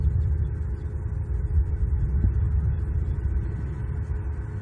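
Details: Low, continuous rumble like a passing vehicle or engine fills the recording, with no animal calls heard.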